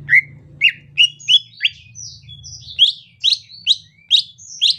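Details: Greater green leafbird, rainy season, with a gentle 'ocehan lemas' chatter. A series of upslurred chirping notes climbs higher as the phrase goes on, mixed with thin flat whistles, over a faint low hum.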